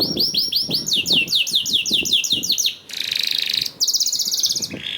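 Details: Canary song played as a lure (pancingan) to prompt other canaries to sing: quick runs of sweeping upslurred notes, then a dense buzzy roll, a second buzzy trill and a short closing note.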